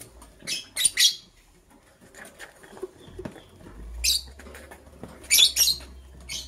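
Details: Green and blue pet lovebirds preparing for egg laying: sharp shrill chirps in short clusters at the start and again near the end, with quiet rustling and a low hum between.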